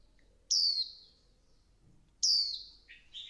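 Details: Two piercing high notes from a female Swinhoe's white-eye stimulating the male, each falling in pitch, about 1.7 seconds apart, the second trailing into a lower buzzy twitter.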